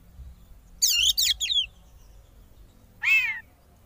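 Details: Kacer, the oriental magpie-robin, singing hard in 'konslet' style to goad rivals into singing: three quick bursts of high, wavering notes, a short silence, then a single arched phrase of slurred whistles.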